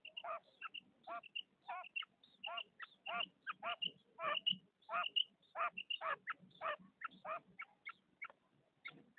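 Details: Female common quail, whose call is used to attract quails for hunting, gives short, nasal, throaty notes in a quick, uneven series, roughly one or two per second, with a faint murmur beneath.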